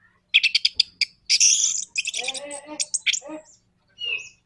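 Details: Orange-headed thrush song used to provoke singing, with a rapid string of stuttering chips, a harsh buzzy burst, then a jumbled sequence of rattling and lower chattering notes ending with a short whistle.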